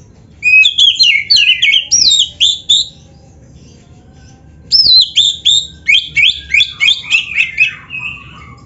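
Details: Singing Oriental magpie-robin, black-breasted type, delivering full mimicry song for training other birds: two dense bursts of quick high whistles and sweeping trills, separated by a quiet two-second gap, steady low hum underneath.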